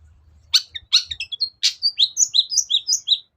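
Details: Long-tailed shrike in full song, used as a lure to provoke reluctant shrikes into singing: a fast, chattering run of sharp, high chirps and short downslurred whistles, about three per second, over a quiet low hum.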